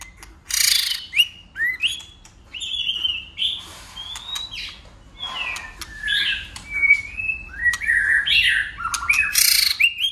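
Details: White-rumped shama singing in a varied, competitive style while flicking its tail and switching voices: clear whistled phrases around the upper-middle range mixed with sharp broadband clicks and harsh bursts, phrases changing pitch every second or so.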